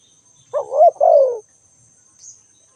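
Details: Spotted dove giving a single low, husky coo phrase of two linked notes, the second longer and sliding downward, over a quiet background with a faint steady high whine.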